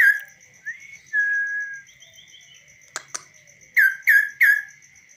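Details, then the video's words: Hand-tamed kaso-kaso bird singing freely without a cage, trained by its keeper: a rising whistle, a long flat whistled note, two clicks, then three quick downslurred whistles over a constant faint ticking. "BURUNG KASO KASO GACOR DI TANGAN TANPA SANGKAR"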